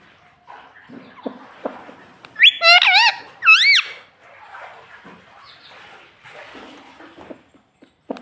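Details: Pet parrot talking indoors, imitating "mummy" and "papa": a few seconds of quiet murmuring, then two loud, clear, harmonic voice-like syllables with bending pitch in quick succession, followed by softer background noise and faint clicks.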